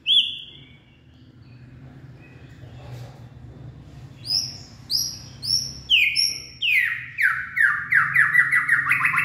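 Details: White-rumped shama, a purebred bird, singing late in the afternoon: a quiet start with a few faint whistles, then a building sequence of bright rising whistles accelerating into rapid repeated notes, over a steady low background hum.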